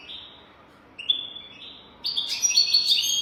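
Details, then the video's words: European goldfinch 'golden throat' song used to teach young goldfinches. Soft whistled notes give way to a bright, rapid, buzzy twittering phrase that rings through the last second. "تغريد رهيب طائر الحسون حنجورة دهبية لتعليم طيور الحسون"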